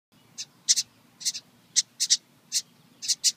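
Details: A junco at its nest in a birdhouse gives sharp, high ticking chips, about a dozen in three seconds, some single and some doubled, over a faint low background hum.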